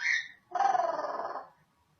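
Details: Pet African grey parrot, female, kept indoors, known for talking, barking and sneezing: a short high squeak followed by a rough, drawn-out bark-like rasp lasting about a second.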